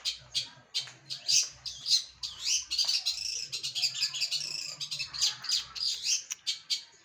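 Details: Long-tailed shrike, a trained bird, in continuous 'gacoran' song: dense, scratchy high warbling mixed with sharp repeated chips, almost without pause.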